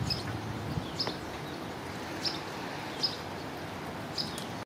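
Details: Fox Sparrow in a yard in Downers Grove, DuPage County, Illinois, on 25 March 2017, giving five short, sharp, high chip notes about a second apart over a low rumble of distant traffic.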